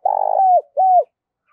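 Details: Decoy spotted dove calling to lure wild doves: a single phrase, a rough vibrating coo sliding into a smooth falling note, then one more short descending hoot.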